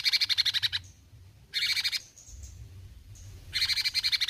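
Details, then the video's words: Cucak cungkok bulbul in eager besetan song, delivering three bursts of rapid, rasping pulses, each under a second long, separated by pauses with faint high whistles. "Besetan Cucak Cungkok Gacor"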